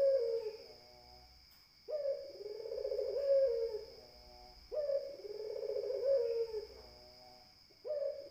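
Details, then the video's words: Puter, the spotted dove, coos in a regular rhythm: long round low notes with a brief sharper start, four phrases spaced about three seconds apart, a faint electrical whine persisting throughout. "SUARA PUTER"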